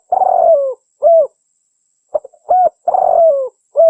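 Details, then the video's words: Repeated coo phrases of a spotted dove used to attract wild birds and train captive doves: long rough falling coos alternating with short rounded hoots and faint stuttering notes, steady and clear. "SUARA BURUNG TEKUKUR (DERKUKU) PIKAT PALING TOP | GACOR"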